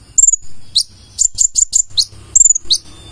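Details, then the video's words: Energetic full-repertoire song of a purple-throated sunbird (konin): piercing high notes sweeping down, then a run of four or five crisp clipped chirps and a closing downslurred whistle. "KONIN GACOR FULL ISIAN"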